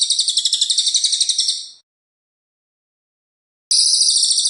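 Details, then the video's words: Cililin delivering its loud, tight rolling song for training white-rumped shamas: a high, fast pulsed trill for nearly two seconds, a pause of about two seconds, then the trill resuming abruptly. "Masteran Cililin Gacor untuk Burung Murai Batu"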